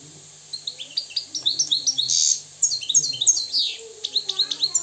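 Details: Free-living Moroccan European goldfinch in lively song: rapid liquid twitters, a harsh buzzy burst in the middle, then tumbling high chips in quick succession.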